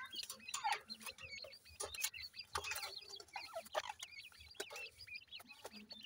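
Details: Several grey francolin chicks calling for their mother, a busy stream of shrill wavering peeps overlapping one another, broken by loud clicks and rustling.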